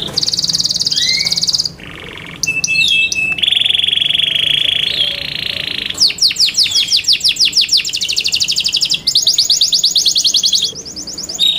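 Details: Canary song, labelled Belgian canary though the birds are described as Yorkshire canaries: varied high phrases with long bright rolling trills, buzzy sustained notes and rapid repeated chips changing every second or two.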